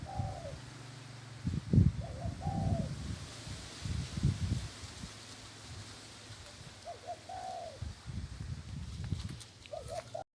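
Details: Spotted dove tethered by the leg, cooing keenly: short soft tonal coo phrases of two to three notes, recurring roughly every three to four seconds, over heavy low rumbling, rustling and handling noise.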